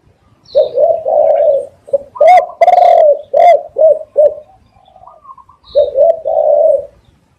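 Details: Spotted dove cooing, loud recording used as a lure for catching doves: a run of low, hoarse, distorted coos in quick succession, a brief quieter pause with soft notes, then two more drawn-out coos.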